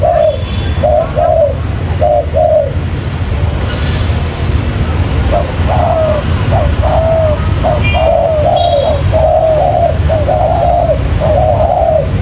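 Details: Spotted dove coos played as a trapping lure: a long run of short, husky coo notes, with a pause near the start and then steady repetition, over a constant low rumble.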